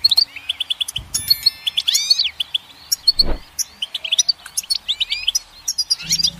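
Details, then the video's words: Goldfinch singing a lively jumble of twittering chirps, rising and falling slurred whistles and buzzy trills, steady and high-pitched, with a few low knocks in the background. "Goldfinch Song"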